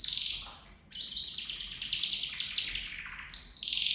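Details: A copper mosaic canary, one of two males and two females kept together in a cage, sings a continuous, high, unbroken run of bright, rapid trills and rolling twitters, with a brief dip in the middle.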